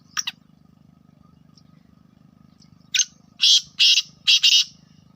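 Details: Black francolin kept as a pet, calling in a harsh, scratchy series: a click, then four loud grating bursts in quick succession, over a steady low electrical hum.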